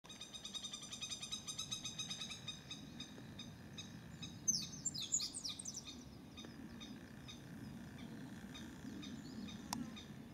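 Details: Crested kingfisher in breeding season, recorded 30 May 2017 in woodland with a cliff that may hold a nest, at least five birds present, calling repeatedly while flying in and out; a rapid run of harsh repeated notes, then a burst of sharp high calls, low steady background rumble.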